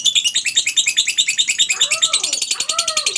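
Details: Lovebird chattering ngekek used as a lure for other lovebirds: quick, high, rhythmic pulses throughout, overlaid near the end by two lower, arching, swooping calls.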